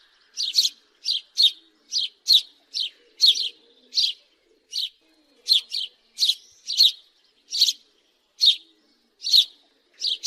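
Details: Steady house sparrow calling: loud, harsh cheep notes, often paired, repeated roughly once or twice a second, with a faint low cooing in the background.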